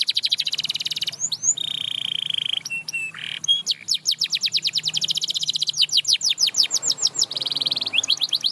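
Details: Canary song used to get other canaries singing again; varied phrases mixing steady buzzy notes, brief sharp bursts and a fast rattling trill of repeated sweeps, ending with another buzz and quick notes.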